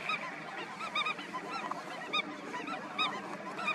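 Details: A colony of Indian skimmers at National Chambal Sanctuary, Dholpur, Rajasthan, India, in February 2021 gives short, nasal, yelping calls that overlap and repeat several times a second, building into a busy, honking chorus.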